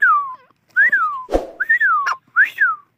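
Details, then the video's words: Grey francolin, known as dakhni teetar, calling: clear whistled notes that rise then slide down, given in quick pairs, interrupted by a brief rough noise burst. "Teetar ki Boli | Teetar ki Awaj | Dakhni Teetar Ki Awaz"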